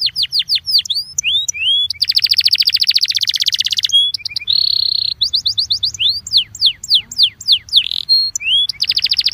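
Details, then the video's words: Varied Belgian canary song meant to stimulate canaries: strings of falling whistled notes, a long fast rattling trill, a held tone, then more quick descending phrases and another trill. "INCARTE para esquentar canario belga"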